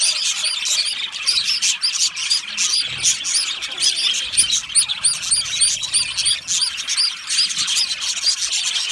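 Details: Loud chirping from a lonely budgerigar, contact calling or expressing distress: quick, bright, repeated high chirps in rapid succession over a continuous twittering chatter.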